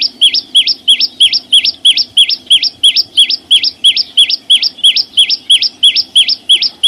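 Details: Very regular rapid song of the chim sâu xanh: repeated two-part whistled phrases, a short drop then a sharp rise, about three per second, accompanied by thin high ticks and soft background noise.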